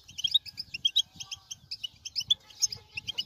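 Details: European goldfinch song meant to excite a silent bird into singing: quick, separate high chirps and liquid notes about five or six per second, with faint low rumble underneath.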